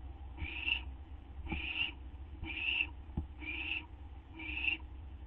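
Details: Owl waiting for a gopher or vole treat at 12:38 AM, 8 September 2011. Five raspy, breathy screeches come about a second apart, with faint clicks and thumps between them and a constant low hum behind.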